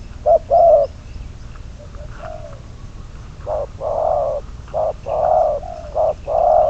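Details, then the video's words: Decoy spotted dove kept for trapping, cooing in deep, muffled notes: a short pair, a quiet pause, then a run of brief and longer coos in steady succession against constant background hiss. "Bẫy cu gáy mồi"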